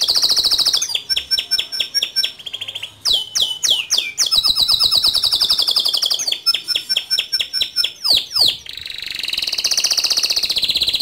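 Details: Gacor male canary, ngerol rolls and nembak notes: long sequences of fast high trills alternating with downward-swooping whistles, ending in a loud sustained high warble.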